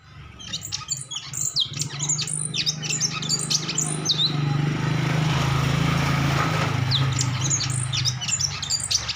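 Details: Bulbul known locally as cucak cungkok singing energetically: dense, rapid high chirps and short twittering notes, somewhat irregular, over a steady low hum.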